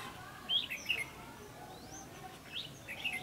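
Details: Decoy red-whiskered bulbul in a trapping session with a ngũ đoản style song, recorded 16 October 2016; quick sharp whistled notes come in two clusters, with a faint rising whistle between them over quiet background hiss.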